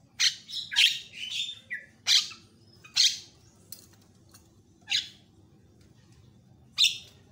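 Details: Javan myna with varied tutoring song used to agitate other mynas: loud harsh squawky bursts, some paired, spaced by irregular silences of one to two seconds.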